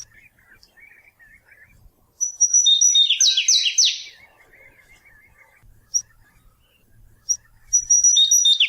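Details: Flavescent Warbler of the Brazilian Cerrado singing a rapid burst of high, clear slurred notes that tumble downward, preceded by soft faint chips and followed by short high notes and the start of another phrase.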